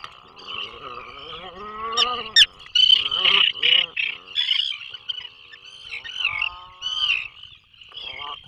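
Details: Atlantic puffins in a Maine offshore nesting burrow, 2024 season: short broken moans and rasping bursts, then a sliding harmonic groan near the end, all above a constant shrill tone.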